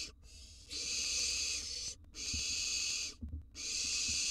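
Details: Wild barn owl chicks in a monitored nest box, being fed and swallowing a gerbil and a mouse. Three long, harsh, broadband hisses, each over a second long, separated by short gaps with faint rustling.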